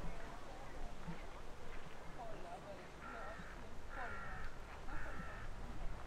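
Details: White-speckled crow among other crows in the Schönbrunn Park gardens on an afternoon: three harsh, hoarse caws roughly one second apart in the second half, over steady human chatter and low urban rumble.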